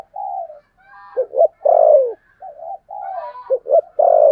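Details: Spotted dove decoy bird with a 'thổ' voice style, used to lure other doves. Two clean phrases, each of short stuttering notes and a loud, long, falling low coo, followed by softer murmured notes.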